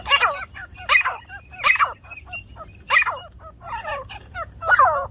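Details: Grey francolin (teetar), village setting: a run of loud, harsh calls roughly every second, with quieter tumbling notes between them and a low hum underneath.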